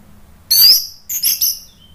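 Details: Orange-headed thrush song, played to draw replies from other birds: a loud, very high, squeaky burst, then two shorter high chattering notes and a faint thin whistle.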